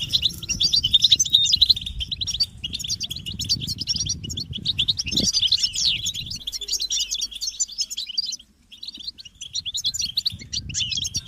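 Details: Group twittering of European goldfinches, mating and readiness calls meant to end a male's silence: fast, dense high chatter roughly two bursts a second, a short lull near the end, then the tinkling resumes; low background rumble.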